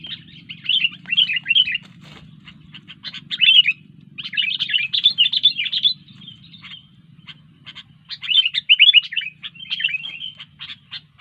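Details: Sooty-headed bulbul in sustained lively song, several long bursts of rapid chattering chirps and warbles separated by short gaps with scattered clicks, over a steady low hum.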